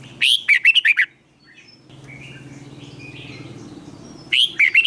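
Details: Red-whiskered bulbul used for competition-song training, long twisted voice: a quick string of sharp warbled notes, a low droning stretch with distant twitters, then the phrase starts again.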